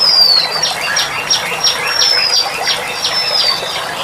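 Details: Female Oriental magpie-robin, kept as a caged bird, used as therapy audio: a high thin whistle sliding slightly downward, followed by a rapid series of short high chips repeated about every third of a second, over steady hissing background.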